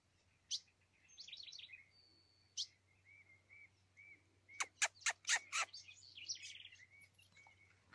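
An ultramarine grosbeak sings short warbled phrases and clear whistles, with a burst of sharp, quick notes near the end. A steady low hum runs underneath.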